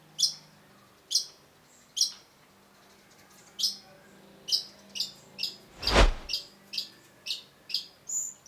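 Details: Long-tailed shrike song used as masteran training audio: sharp, high, clipped chirps repeated about once a second, speeding up later, with one loud broad knock or thump partway through.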